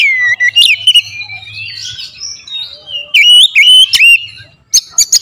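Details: Lure song of an oriental magpie-robin, billed as powerful and sharply delivered: loud clear whistles sliding down and up, a rich warbled passage, then quick sharp notes at the close, with a faint low hum.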